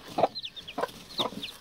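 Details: Broody Spanish-breed hen, separated a few days earlier and defensive of her first newly hatched chicks, gives low, throaty clucks about every half second, with the chicks' thin, high peeping between them.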